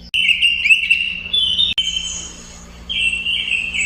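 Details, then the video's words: Robin giving drawn-out, buzzy, slightly wavering notes held steady for over a second, a pause, then another sustained buzzy note; low hum underneath. "kicau burung robin"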